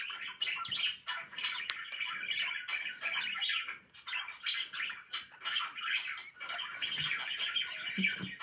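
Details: Budgies kept as pets chatter steadily, layered scratchy warbling and sharp squawks running throughout, with a burst of harsh noise near the seventh second and faint low thumps.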